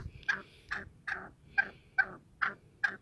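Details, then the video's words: Black francolin, known locally as kala teetar, roaming free: a run of short, harsh clucking notes repeated steadily about every 0.4 seconds, seven notes in quick succession over a quiet background. "Black Francolin Voice Kaly Teetar Ki Awaz"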